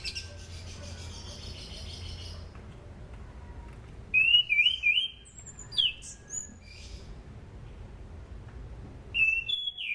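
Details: Sunda pied fantail singing, used as a lure to train other birds. Faint chirps come first after a quiet stretch, then clear bursts of high, wavering, rising-and-falling whistles, with a final short phrase near the end.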